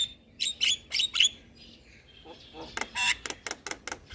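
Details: Javan myna, a bird used to lure and soothe moulting mynas; a few high whistled notes, a pause, then a burst of harsh, buzzy clicks.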